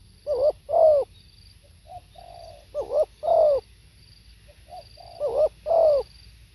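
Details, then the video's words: Spotted dove cooing: three phrases, each of a brief wavering double note and a louder slurred coo, separated by soft flat humming notes, steady hoarse tone throughout and a quiet setting. "เสียงนกเขาใหญ่ สด | suara tekukur"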